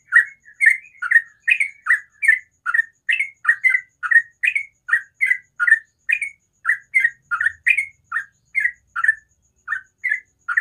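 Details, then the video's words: Long morning ropel song from a sooty-headed bulbul: a fast, unbroken run of over twenty bright, slurred chirps at a steady quick pace, clean and without other sounds. "TRUCUKAN ROPEL SUARA ALAM PAGI HARI"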